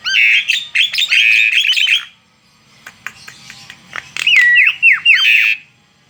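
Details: Loud song from a tame Asian pied starling outside its cage: a dense two-second stretch of whistles and grating notes, a quiet gap with faint clicks, then looping whistled phrases with rising and falling slurs.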